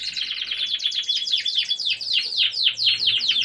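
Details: Gloster canary singing a rapid, steady run of high, repeated notes, each sliding downward, forming a bright rolling trill that carries on throughout with no other clear sounds.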